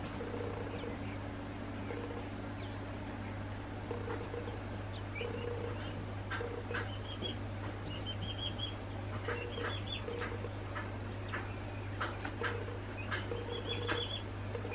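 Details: Two-week-old northern bobwhite chicks peeping: thin, high whistled notes, some slightly rising, scattered irregularly over a steady low hum, with faint scratching clicks in between.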